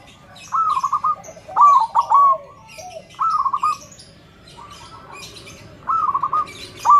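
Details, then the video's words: Loud zebra dove (perkutut) used as a singing tutor utters evenly spaced cooing phrases, each a quick stutter of notes, about every one to two seconds, with light background chirping. "Perkutut suara besar PULEN - guru vocal semua jenis perkutut"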